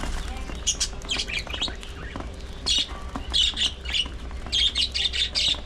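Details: Colony of pet budgerigars kept for breeding: bursts of harsh, high squawks and chirps in clusters separated by short pauses, several birds calling over each other against a low background hum.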